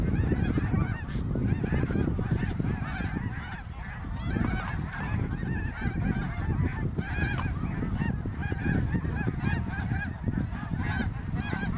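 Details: Huge flock of greater snow geese migrating overhead in autumn 2021 near Ottawa, Canada, hundreds of thousands in the sky: a dense, continuous chorus of overlapping nasal honks, many short rising-falling yelps at once, over low wind rumble.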